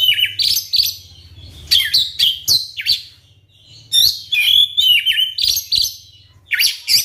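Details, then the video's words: White-rumped shama song played to provoke other shamas: loud clipped whistles and harsh chattering notes in quick clusters, with a faint low hum underneath. "suara pancingan kacer terbukti ampuh bikin kacer macet langsung on gacor bukor"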